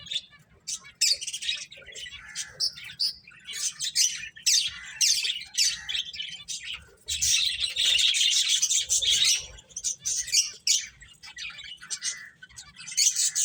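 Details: A group of playing finches chirps and twitters almost without pause, high bright notes building into a dense chorus in the middle.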